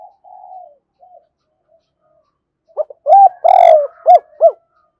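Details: Faint drawn-out coos open the recording, then a spotted dove calling a rival bird breaks into a loud phrase: short sharp notes, a strong held coo, and two quick closing notes.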